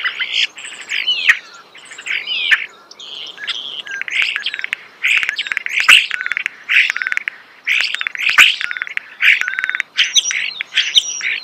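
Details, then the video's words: Starling heard close up, singing a jumble of harsh chattering bursts and squeaky whistles in phrases about a second long, separated by short gaps, with occasional sharp clicks. "The song of the starling"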